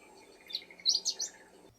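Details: A chestnut-eared bunting sings right next to a car in Nagano, Japan, in May 2025. It gives a brief burst of high, scratchy chirps and twitters, rising in a quick jumble, over a low steady background hum.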